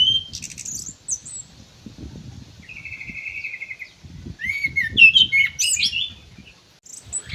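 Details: Ground thrush kept in an aviary singing high scratchy notes, a steady buzzy trill, then an energetic run of sweeping whistles and squeaks, with low rumbling background noise.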